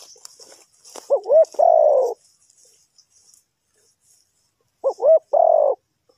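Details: Spotted dove from Ninh Thuận, Vietnam, calling as a lure for trapping wild birds: two quick hooked notes, then a long, slightly falling croon. The phrase is given twice, about four seconds apart, over faint high hiss.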